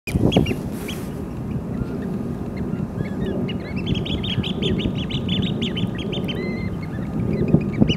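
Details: Eurasian oystercatcher at Sanbanse, Chiba, Japan, giving a rapid run of short, high piping notes through the middle of the recording, set against a steady low rumble of wind or surf.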